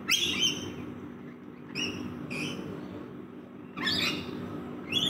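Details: A backyard rainbow lorikeet group while feeding: piercing, rasping screeches in separate bursts with quiet gaps between, set against a low steady hum.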